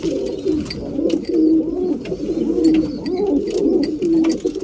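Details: Breeding pigeons at mealtime, indoors in a small room: overlapping low cooing that rises and falls throughout, with several birds calling at once, plus scattered clicks and scratchy taps.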